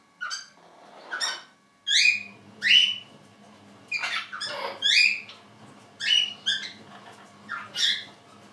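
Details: Two orange-winged amazons in spring giving loud, harsh squawks and whistled notes, about one every second, in an indoor room with a low hum.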